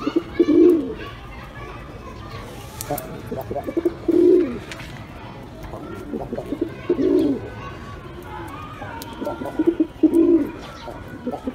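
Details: Pigeons repeating short, low, throaty coos about every three seconds across the recording, with light scratching and shuffling noises between them.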